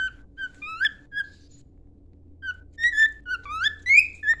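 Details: Pet cockatiel singing a song used for training: clear whistled notes, some level, some sweeping upward, in two bursts split by a short silence, with a faint low hum beneath.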